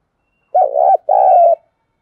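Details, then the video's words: Spotted dove kept as a trapping decoy, calling in the morning: two loud, low hooting coos, the first broken into short pulses, the second a longer steady purring note, on a quiet background. "chim cu gáy mồi chiến bắt bổi hay gáy gọi buổi sáng"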